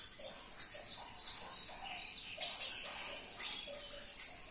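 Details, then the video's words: Somewhat soft sunbird song, played to get a caged sunbird to sing: scattered high thin chirps and brief whistled notes, spaced irregularly over a hissy background. "Putarkan 1 menit saja video ini KONIN anda pasti langsung nyaut"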